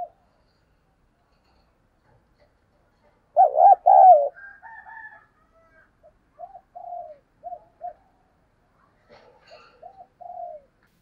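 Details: Decoy spotted dove giving a loud quavering burst of coos, followed by a series of faint short coos and a final drawn-out falling note from farther away.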